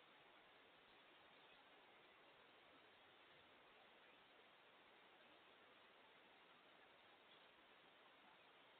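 Only a quiet, even hiss of background noise is heard from start to end, without any calls.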